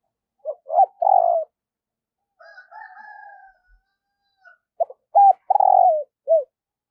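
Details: Decoy spotted dove cooing in the morning to draw in wild birds. Two bursts of notes and rolling, descending coos frame a softer, drawn-out two-tone call in the middle.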